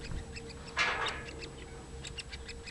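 A young woodpecker gives one harsh, raspy burst, then a few short, high chipping notes. A steady low hum runs underneath.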